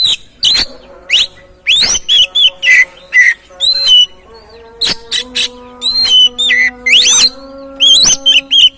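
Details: Oriental magpie-robin song for stimulating another bird to sing: bright whistled phrases and sharp chirps with rising and falling sweeps, over a steady tonal background hum.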